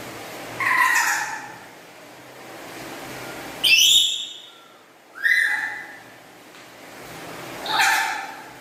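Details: Black-capped lory kept at home, chattering loudly: four rich, harmonic calls a little over two seconds apart. Some are downslurred and some have rising starts, each with a strong whistled tone, over a faint background hiss.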